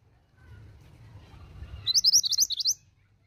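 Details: Calling female pied bushchat, meant to draw replies from males, gives one quick burst of about ten high, sharp chirps near the end after a quiet stretch with a low background hum.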